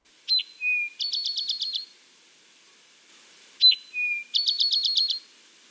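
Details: An eastern North American Eastern Towhee sings twice: a sharp high note, a lower slurred note, then a fast bright trill, the 'drink-your-tea' song.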